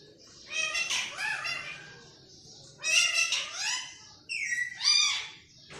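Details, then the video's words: Pet green parrot talking like a human: three raspy, harmonic, speech-like phrases, each about a second long with shifting vowel-like tones, separated by short pauses; faint low room hum between them. "طوطے کی خوبصورت بولیاں"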